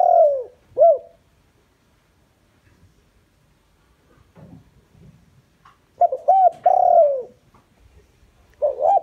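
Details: Decoy spotted dove calling to entice wild doves. A falling coo and an arched note are followed by about five seconds of near silence with faint rustling. Then comes a complete phrase of short notes and a long sliding coo, and another phrase begins.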